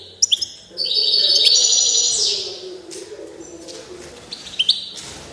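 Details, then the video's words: Goldfinch of the Balkan race balcanica, called 'fiery', gives a few sharp chirps, then a sustained high twittering phrase with a held whistled note, fading to quiet before two brief chirps return. "Πυρωμένη καρδερίνα ( Carduelis Balcanica )"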